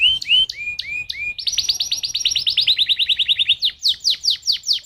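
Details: Canary singing as a lure for other canaries: a few rising whistled notes, then a long fast trill of repeated downward-sweeping notes, ending in slower, louder repeated sweeps.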